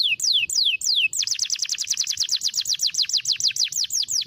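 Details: Canary in lively 'cengkok mewah' luxurious-style song: three loud, clear downward-sweeping whistles, then a fast, even trill of rapid repeated descending notes, about thirteen per second, held steadily to the end.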